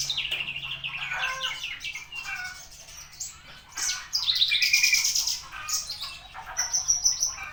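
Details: Javan bushlark on 24 September at ten o'clock, giving a dense, rambling song of mixed chirps, warbles and buzzy high notes, with brief pauses and bursts of quick repetition.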